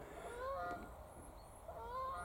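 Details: A couple of geese fly over and away on a spring walk near Thirlmere in the Lake District, among bluebells. They give distant, nasal, slightly wavering honks repeated through the clip, with low outdoor rumble and faint voices.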